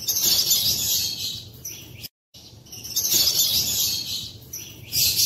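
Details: African lovebirds of opaline, greywing, edge and pale fallow mutations perched in an aviary in the morning, April 8, 2024; dense high shrill chattering and chirps overlapping continuously, with a brief silent gap midway.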